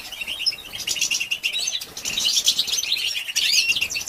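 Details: Stimulating batbata calls of a female European goldfinch aimed at males: fast, liquid twittering at high pitch, with buzzy trills and a few brief lulls before louder chatter resumes.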